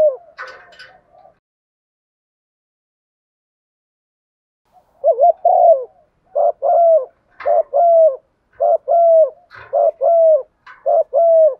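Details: Spotted dove decoy calling wild doves in: after a pause, a run of low cooing notes repeating about twice a second, short rounded coos with faint higher chirps scattered through.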